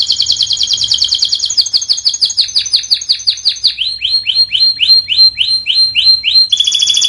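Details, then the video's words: Canary singing in a training recording for birds that will not sing: fast descending trilled notes, then a series of rising sweeping whistles repeated about three per second, ending in a buzzy rattle. "MASTERAN KENARI 002 Cocok untung burung macet BUNYI"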